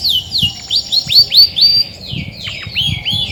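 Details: Female Belgian canary, grey and white, in a cage, singing as she does before brooding: loud sweeping whistles that slide down then curve up, irregular and varied, with light tapping noises beneath.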